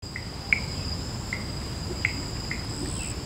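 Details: Orange dove (Ptilinopus victor) at Vuna Farm, northern Fiji, on 24 August 2012 gives short, dry clicking notes at an uneven pace, about two a second, over a steady high insect drone.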